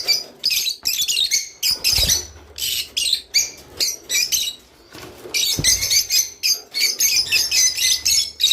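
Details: Rice finch singing, a sound meant to stimulate mating: a steady series of short, high chirpy bursts, about two per second, with a couple of soft thumps in the background.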